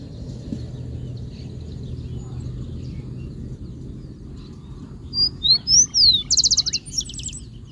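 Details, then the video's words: Rufous-collared sparrow song starts after several seconds of quiet low rumble: sweeping high whistled notes, then a rapid dry trill, with a few thinner notes trailing after. "Gorrión Chingolo cantando"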